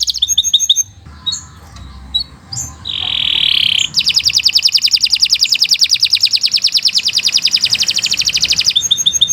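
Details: Canary singing a long training song for other birds: short varied notes and a flat whistled tone, then a long, fast, even high trill lasting about five seconds.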